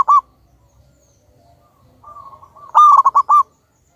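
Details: Big-voiced wild local zebra dove used as a lure to trigger other doves to sing. A short loud note, then a quiet build-up of soft coos, ending in a loud stuttering phrase of five hollow notes.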